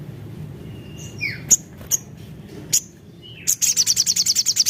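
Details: Javan cochoa song used as a lure: soft falling whistles and a few isolated sharp chips, then a rapid high rattling trill to the end, over faint low hum.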